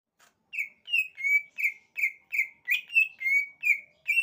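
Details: Greater green leafbird singing: a steady string of rich, slightly buzzy notes repeated about three times per second, each note wavering in pitch, with faint high overtones; no other sounds.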